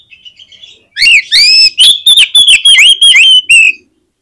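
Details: Oriental magpie-robin in energetic song, used to provoke other magpie-robins into singing: loud ringing whistles and sharp rapid notes delivered in a quick burst of about nine bright phrases, after a few soft opening notes.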